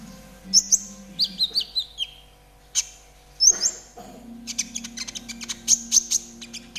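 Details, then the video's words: Trotol konin singing for caged-bird training: sharp high chirps, a descending series of whistled slurs, a pause, then a long fast run of clipped high notes over a low hum. "TERAPI KONIN TROTOL AGAR CEPAT BUNYI || MASTERAN KONIN TROTOL GACOR"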